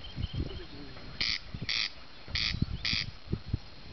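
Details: A corncrake in Northeast Poland, 2010, gives its dry, rasping crex-crex, two pairs of harsh scraping notes about half a second apart, over low rumbling wind noise.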